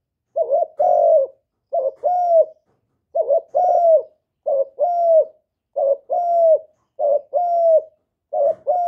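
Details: Cooing spotted dove, played to make other doves respond: steady run of seven paired coos, short clipped note then drawn-out level coo, repeated roughly every one and a quarter seconds, no other sounds.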